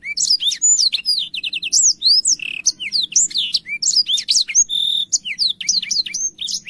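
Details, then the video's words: Black-throated canary singing clearly and busily, a tutor song for young canaries: fast sequences of up-slurred whistles, a short run of repeated ticking notes, and sustained thin high tones, with faint low background hum. "BLACKTHROAT GACOR SUARA JERNIH UNTUK MASTERAN KENARI BAHAN PAUD CEPAT BUNYI CUIT CUIT"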